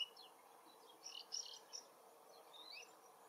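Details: A very distant woodchat shrike sings in its forest habitat, a faint, scratchy song of short high chirps and rising squeaky notes in loose bursts over steady background hiss.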